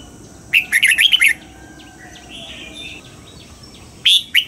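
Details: Double-note morning song from a red-whiskered bulbul under training: a quick run of six sharp whistled notes, a long pause with faint distant chirps, then the start of another loud phrase.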